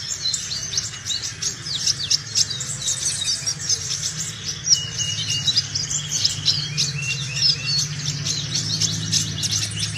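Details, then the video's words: Sunbird in full song, recorded from the bird for luring other sunbirds or for training: rapid, high, sweeping twitters and chips continue throughout, with a faint low hum behind them. "BURUNG KOLIBRI GACOR!!"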